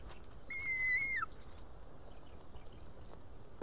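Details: Young white-tailed eaglet on a nest camera in Estonia, calling for help to be fed on a June evening: one clear level whistle about a second long that slides down at the end, then quiet background.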